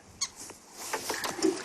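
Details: Green wood hoopoe perched on top of a branch gives a brief run of harsh, scratchy notes, several in quick succession after a sharper squeak.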